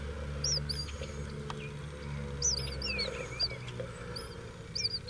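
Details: Baby eastern bluebirds in a nest box give thin, high squeaky chips in short bursts about once a second, over a steady low hum and rumble.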